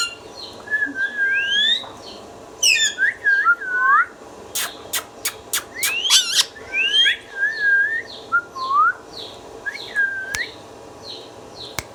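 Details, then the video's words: Indian ringneck parrot, a pet talking bird, producing wavering whistles and rapid chirps, then a series of sharp clicks and more looping whistled notes, with faint echoes in a small room. "Ringneck Parrot natural sounds"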